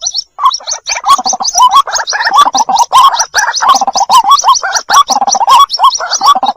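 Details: White-breasted waterhen chicks calling for their mother, used as a lure recording: dense, continuous chattering of rapid gargling trills with short upturned notes, overlaid by thin high squeaks, almost without pause.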